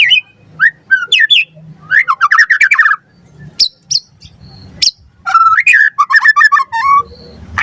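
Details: White-rumped shama singing on a training lure for captive birds: scattered whistled notes and quick downslurred runs separated by pauses, sharp clicks, then a dense burst of varied chattering phrases.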